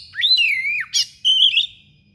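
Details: Thick-billed kacer singing in a sharp, persistent voice and showing off its filler repertoire: a clear whistle dipping then sliding down, a brief buzzy note, then a high steady whistle ending in a twist, in near silence.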